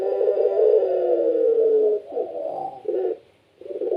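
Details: Deep drawn-out coo from a kept puter pelung dove slides slightly downward for two seconds, then breaks into shorter rounded coos after a short silence.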